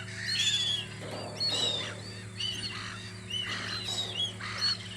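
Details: A crowd of seagulls at their lookout on Audru polder in spring gives bursts of harsh, arched cries about once a second, some louder and nearer, over a steady low hum.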